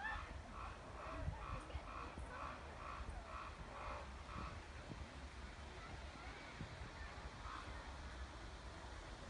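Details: A common raven gives a quick run of about eight hoarse, nasal calls, roughly two per second, then falls quiet over a steady low rumble of wind.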